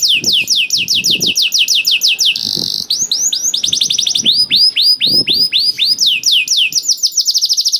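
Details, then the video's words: Energetic canary song used to get other canaries singing: rapid repeated swooping whistles, a short harsh buzz, then more rolling looping notes and fast trills, with faint bumps and rustles in the background. "KENARI GACOR DOR INI MEMANCING KENARI YANG SUSAH BUNYI JADI IKUT GACOR"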